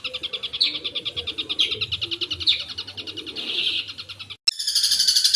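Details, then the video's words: Long-tailed shrike, known locally as cendet, singing a 'gacor' full 'isian' song: fast, steady rattling trills of high notes running for seconds, briefly cut, then resuming. "Suara Burung Cendet Gacor full Isian"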